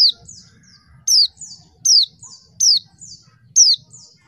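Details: Female mountain white-eye used to provoke males into singing. Rapid run of five high down-slurred notes under a second apart, each trailed by two softer falling notes, low hum beneath.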